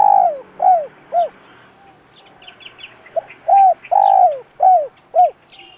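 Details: Decoy spotted dove cooing to provoke wild doves: a run of three arched, hollow coos, a pause filled with faint high chirps from other small birds, then a louder series of five coos.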